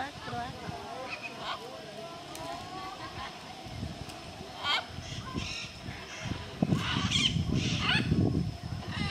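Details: Green-winged macaw (Ara chloropterus) at Bio-Centro Guembe, Santa Cruz de la Sierra, Bolivia, giving harsh, raspy squawks that are loudest toward the end, over a low background rumble and people talking.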